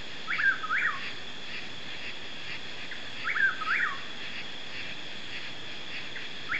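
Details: Chuck-will's-widow in East Texas, USA, at night, repeats its quick, whistled chuck-will's-WID-ow song about every three seconds over a steady, high drone of night insects.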